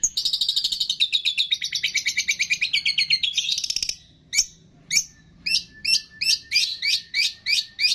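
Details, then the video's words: Mimicking long-tailed shrike from a training recording whose song holds cililin, greja tarung, lovebird, tengkek and kapas tembak imitations. A long, fast, high trill gives way to loud, evenly spaced sharp chips repeated about twice per second. "MASTERAN CENDET ISIAN CILILIN, GREJA TARUNG, LOVE BIRD, TENGKEK, KAPAS TEMBAK"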